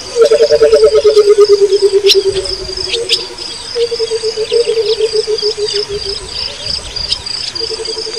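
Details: A wild Burchell's coucal gives a low, rapid bubbling series of hoots that slowly falls in pitch, over steady insect buzzing.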